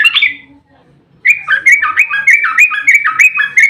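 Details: Sooty-headed bulbul in an agitated, fighting 'ropel' song, a long rapid-fire style used as a lure to make other bulbuls answer; one short warbled note, a pause, then a fast run of fluty, slurred notes repeated about five times per second.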